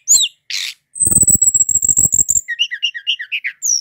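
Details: Brown-chested jungle flycatcher, a native Indonesian songbird, singing nonstop: a sustained thin high whistle over a fast rattling buzz, then bouncing warbled notes tumbling downward.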